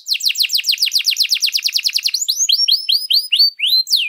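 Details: Canary in full song, used as a tutor for other birds: a rapid run of steep downslurred notes, then spaced rising and falling whistled phrases.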